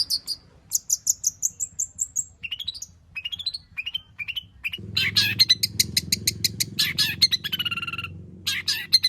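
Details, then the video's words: Long-tailed shrike in full varied song packed with fill-in material, used to prompt other shrikes to sing. Thin, high whistled ticks are followed by rising slurred whistles, then a dense rush of mixed chattering, scratchy and whistled notes over a low hum. "burung cendet gacor FULL ISIAN pancingan Cendet AGAR BUNYI Cendet Bongkar Materi"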